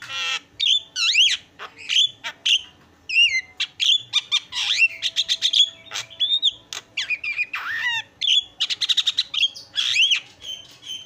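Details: Noisy caged Javan myna recorded as a training master for cage birds, delivering a long continuous medley of whistled swoops, rapid clicking bursts, buzzy rattles and sharp chirps at a steady, busy pace.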